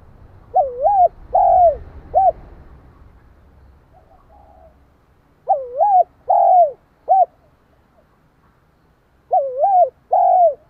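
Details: Decoy spotted dove giving provoking coos: three phrases of soft mellow notes, a wavering coo, a longer falling coo and a short clipped ending, spaced about four seconds apart, with some low background rumble early on.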